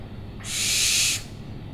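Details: A single drawn-out owl screech, a rough, breathy hiss lasting nearly a second that swells and fades, over faint low background hum.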